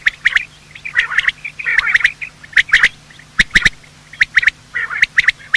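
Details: Quail, male and female, calling in the morning, a sound used for quail hunting: short harsh notes in twos and threes, repeated at uneven intervals over faint background chatter.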